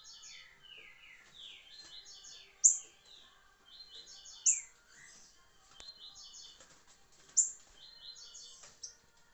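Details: Green-winged saltator in the liso curricutil song style, 26 July 2023: continuous bursts of fast whistled notes with downward glides, repeated about every two seconds, interrupted by three sharp high clicks.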